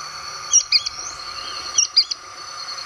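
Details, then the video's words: Pair of Sooty-fronted Spinetails singing together in the Brazilian caatinga: sharp, high two-note chirps in two quick bursts about a second apart, each note slurring slightly, over a faint steady background hum. "O canto único do casal de Petrim"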